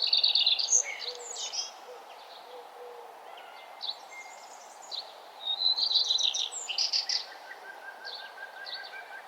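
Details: Birds singing on a nature trail at sunrise in the morning; several overlapping high chirpy and warbling phrases, a bright burst at the start and again near six seconds, with a steady low ambient hiss underneath.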